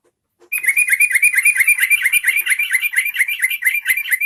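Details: Trucukan, the yellow-vented bulbul, singing to draw other bulbuls into song: a loud, continuous chattering string of quick, slurred, liquid notes repeated about twice per second for nearly four seconds, clean with no other sounds.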